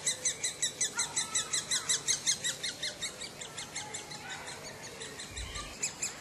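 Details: Woodpecker in a 2007 recording: rapid, evenly spaced scratchy high-pitched notes repeating almost three times a second. They grow quieter and less distinct midway, then resume, with a brief low thump near the end.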